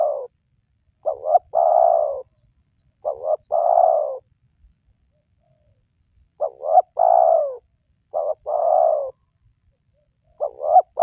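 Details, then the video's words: Repeated cooing of a spotted dove, used to lure wild doves into calling. Each phrase has a brief two-note hoot, then a longer falling coo. Five phrases over eleven seconds with short silent gaps. "Pemancing Burung Tekukur Yang Malas Bunyi,Langsung Rajin Bunyi"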